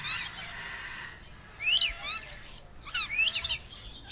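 Lorikeets give sharp, shrill screeches and chattering squawks in quick bursts, with a busy background of other high chirps.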